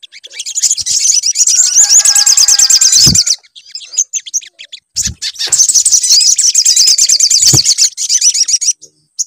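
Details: Sunbird song played as a lure to make sunbirds sing: long bursts of rapid, very high, thin twittering trills. A brief break comes midway, with a few low knocks and clicks, before the fast high chatter resumes.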